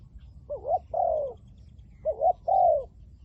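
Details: Decoy spotted dove calling to draw in wild doves: two phrases, each a quick double-humped note then a drawn-out, gently falling coo, loud and clear above faint low background noise.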